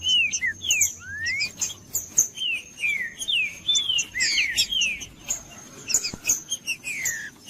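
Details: Singing Green-winged saltator, used to warm up a cold bird: continuous bright whistled phrases, each a quick rising or falling slur, repeated in lively bursts with short gaps, accompanied by high chirping and a thin steady tone.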